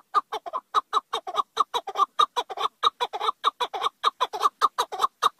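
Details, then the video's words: Chukar partridge giving a continuous, rhythmic series of harsh chuk notes, often in pairs, about five per second throughout. "partridge call.partridge chukar."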